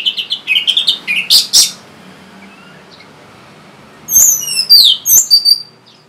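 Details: Orange-headed thrush song used to prompt reluctant or silent birds to sing: a run of short, rising whistled notes, a pause, then a burst of high, fast, twittering phrases, with a low hum behind.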